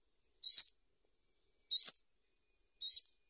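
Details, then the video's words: Sunbird, locally kolibri ninja, repeating three high, slightly buzzy, drawn-out chirps spaced a little over a second apart, with a clean, quiet background. "SUARA BURUNG KOLIBRI NINJA"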